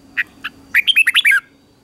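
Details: Red-whiskered bulbul in morning singing training: two soft single notes, then a quick run of five or six bright, slurred whistles within half a second.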